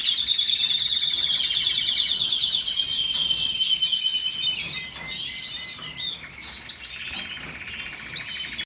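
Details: Singing canary delivering high rolling trills that shift tour by tour, from a steady whistled trill to quicker chattering bursts and buzzy rapid pulses, with short pauses between phrases late on.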